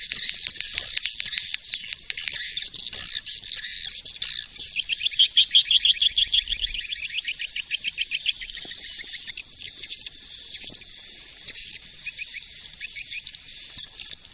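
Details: High-pitched swiftlet lure call, a fast repeated twittering of sharp clicks and chirps, loud and steady throughout with a brighter rattling run in the middle.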